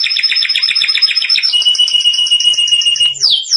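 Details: Canary song played for training young canaries: a fast buzzy trill of repeated notes, then a long steady run of pulsed whistles, ending in a sharp downward sweep.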